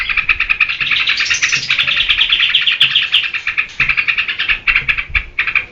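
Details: Yellow-vented bulbul (trucukan), in full song, serves as lure and master recording for cage-bird training; a continuous, rapid stream of liquid chattering notes with a brief higher, brighter phrase early on, then separate clipped notes.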